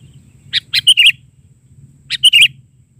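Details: Sooty-headed bulbul singing a lively gacor isian song in the bahari version. Two short bubbly phrases of four or five quick chirpy notes each, separated by a pause of about a second and a half, over a faint low hum.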